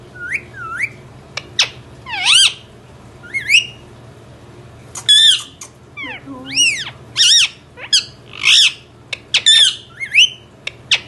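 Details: Indian ringneck parrot indoors calling irregularly over eleven seconds: short rising whistles, sharp clicks, and loud ringing squawks that rise and fall, with a brief low grating note midway.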